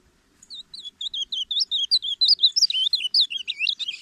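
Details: Ultramarine grosbeak (reina mora) singing at full strength, recorded for teaching and calling birds; a quick warbled run of high, wavering whistled notes that grows louder and more rapid toward the end, in a quiet setting.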